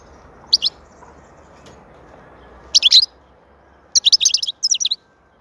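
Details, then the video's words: European goldfinch, called saka in Turkish, sings high, sweet twitters: a lone chirp, a dense jangling burst, then a rapid string of tinkling notes followed by a short twitter. "Huzur verici saka sesi mūkemel"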